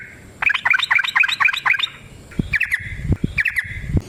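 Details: Yellow-vented bulbul giving a long, energetic fighting song, used as a lure to spur other bulbuls to sing. A quick run of liquid, bubbly notes bounces up and down, then a pause and two shorter warbled phrases with dull knocks beneath.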